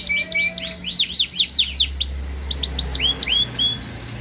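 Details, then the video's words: Singing Yorkshire canary, performing vigorously: a quick flurry of sharp swooping notes, then slower, evenly spaced rising whistles, over a constant low mechanical hum. "KENARI YORKSHIRE POSTUR MAKNYOS GACOR"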